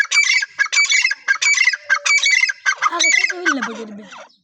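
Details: Teetar, a partridge, giving a run of harsh, grating call phrases in quick succession. The calls weaken toward the end, where softer, lower, drawn-out sounds trail away.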